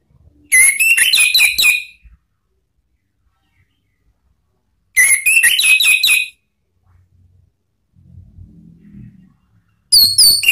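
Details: Lure recording of an Orange-headed thrush for training cage birds, in the ngeplong and ngeriwik singing styles from Indonesia: short, high, twittering phrases of quick whistled notes, repeated about every four to five seconds, with faint low rumbles between them.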